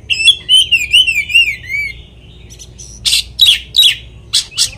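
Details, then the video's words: Oriental magpie-robin song used to provoke another magpie-robin into an agitated response: a wavering whistled phrase sliding up and down, then loud harsh chattering notes in quick bursts. "kacer materian bikin Kacer lain emosi pancingan burung kaker"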